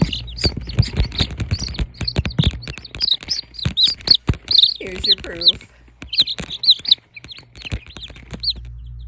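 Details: Silkie chicken chicks, about 20 newly hatched and kept warm after a power cut, peep in a rapid run of high, arching chirps, several overlapping, with a low murmur and scattered knocks beneath, around evening settling time.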